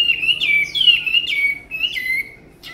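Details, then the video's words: Tame hwamei with a beautiful voice giving loud, clear whistles that swoop down in pitch, four or five drawn-out slurred phrases in quick succession over a quiet background. "họa mi ccdv1121 thuần đẹp giọng hay quá"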